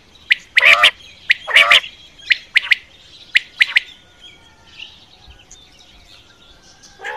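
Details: Quail sounds for hunting at night: a cluster of sharp, harsh squawks and short clicks in the first four seconds, then a quiet stretch with faint background rustle.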